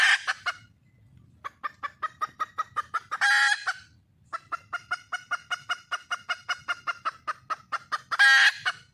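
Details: Wild red junglefowl hen calling to find a male: long runs of quick, evenly spaced clucks, about seven a second, broken by two loud, harsh, squawking bursts, over a faint low rumble.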